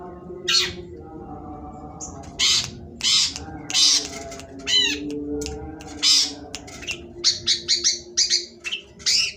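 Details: Long-tailed shrike song in the sembur style: loud, harsh, buzzy bursts and rasping notes, then a quick series of short chattering notes, with a low droning hum in the background.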